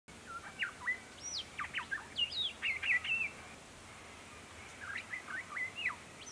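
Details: Grey Shrike-thrush (subspecies harmonica) foraging on winter solstice day 2021 in mixed open forest and woodland of the Capertee Valley, NSW, Australia; quick bursts of short chirpy, sweeping notes in two bouts separated by a brief pause.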